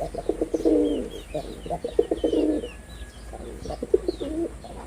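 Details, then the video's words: Rolling, low coo phrases from a male red-bordered wild pigeon during its performance, built from rapid throbbing pulses. Faint twittering of other birds sits above. "লাল বডার বুনো কবুতরের অসাধারণ ডাক || Pigeon Sound Effect || Male Pigeon Super Performance"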